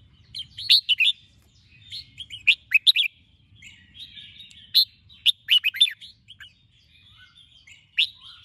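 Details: Red-whiskered bulbul in lively morning song, used for training birds to sing: bursts of quick, liquid, bubbling chirped phrases with short pauses between them and a faint low hum underneath.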